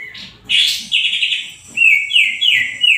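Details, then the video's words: Greater green leafbird singing energetically: loud, rich whistled and buzzy notes around a high pitch, including a series of short descending slurred phrases repeated in quick succession, with faint low knocking sounds beneath. "Cucak ijo GACOR.."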